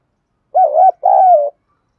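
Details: Spotted dove cooing in the southern Vietnamese 'đồng pha thổ' voice used to provoke wild doves: two mellow low coos, the first wavering and hooked, the second long and gently falling.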